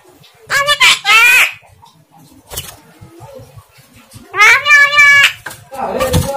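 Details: Unclear talking from a Javan myna, a pair of drawn-out nasal, voice-like phrases with rich overtones separated by a sharp click, ending in a hoarse rasp.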